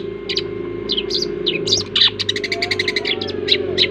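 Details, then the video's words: Long-tailed shrike making a strange sound, a fast jumble of scratchy, buzzy notes and short rising chirps packed into quick runs, with a constant low droning hum beneath. "Burung pentet bersuara aneh"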